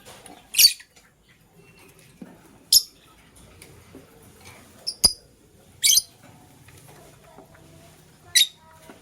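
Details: Green and blue lovebirds in the morning while scrambling for vegetables; short sharp high chirps spaced irregularly every one to three seconds, with a few fainter clicks between them in a quiet room.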